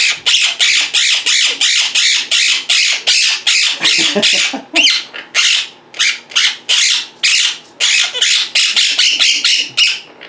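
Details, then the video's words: Indoor Quaker parrots calling nonstop while their owner sits at a computer: rapid, rasping, screechy squawks, roughly two to three per second, with a brief lower chatter partway through. "Quaker Parrots Being Very Vocal and Mimicking"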